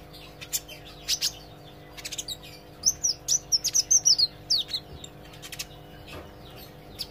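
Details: Olive-backed sunbird learning to sing vigorously: scattered high clicks, then a loud, rapid run of bright, sharply slurred whistled notes, about ten in two seconds, tapering off. Low steady hum behind.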